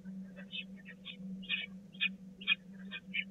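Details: Peregrine falcon young begging as food arrives at the Catharinakerk nest, 16 April 2019: separate rough, buzzy squeals, roughly two per second and varying in loudness, over a low mechanical hum.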